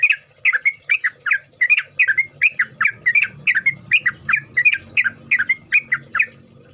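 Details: Lively Yellow-vented Bulbul chatter for luring other birds into song: a steady stream of bubbly, slurred paired notes, roughly two to three a second for nearly seven seconds, with faint low rumbling and high hum behind.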